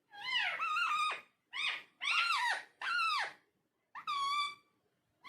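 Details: Indoor talking parrot producing several rich, voice-like phrases with bending pitch, the last one steadier and more tonal, broken by short gaps; low steady hum behind.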